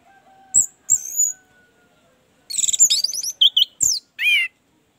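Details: Orange-headed thrush used as a singing lure for a bird that is slow to sing: sparse thin high whistles, then a busy jumble of fast slurred notes and a final buzzy downslurred phrase.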